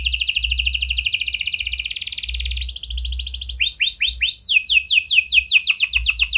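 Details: Canary song used to stimulate other canaries, delivered in prenjak and lovebird phrasing: rapid buzzing trills at several pitches, then a few slurred whistles and a run of quick descending chirps.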